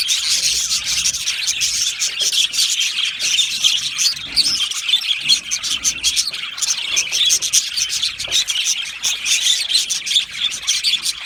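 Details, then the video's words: Australian budgerigars singing and chirping happily: a dense, continuous chatter of high, scratchy warbles and quick tweets from several birds overlapping, with sharp chirps bursting through every fraction of a second and no pause throughout. "Australian Budgie singing and chirping sounds"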